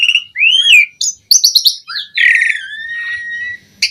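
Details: Asian pied starling song for training birds: a rising-falling whistle, a burst of clicking high notes, then a long, slightly harsh level whistle fading out.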